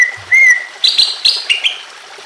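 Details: Greater green leafbird's emotional singing, used to get silent or stressed leafbirds singing: a clear rising whistle, then a quick run of four sharp, high chirped notes, over a soft background of running water.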